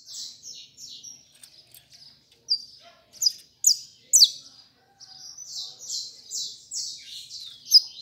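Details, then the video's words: Saffron finch, a bird starting to sing a few songs: bright, high buzzy notes in short repeated phrases, several sharp louder chirps in the middle, then a steady run of similar slurred notes. "canário da terra cantando"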